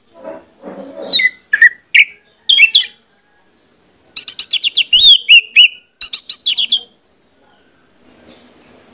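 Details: Orange-headed thrush lure song, meant to be played to get birds singing actively; a soft low chatter opens, then loud high whistled and trilled phrases in quick bursts, with a thin steady high hiss behind.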